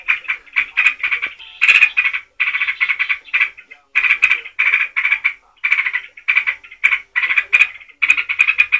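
A yellow-vented bulbul pours out fast, bubbly chattering phrases in quick succession, each burst about half a second long, with barely a pause between them.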